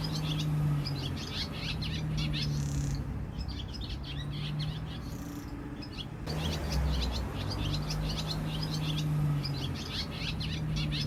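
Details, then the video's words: Swallows twittering in Jeongseon-eup, Gangwon-do, South Korea: quick, high chirping bursts that pause briefly midway, over a steady low rumbling hum. "지저귀는 제비 소리"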